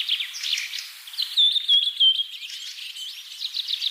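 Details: Common myna with soft chattering notes that rise into a bright, wavering whistle, followed by scattered gurgling chirps.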